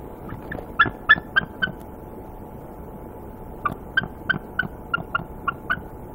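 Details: Nesting female bald eagle at night on a very cold evening of -2°F, struck by a swooping owl around 8:40 PM while incubating eggs, alerting in defence. Two bursts of sharp, rapid, high-pitched chattering notes, about six to eight each, separated by a pause over steady low rumble.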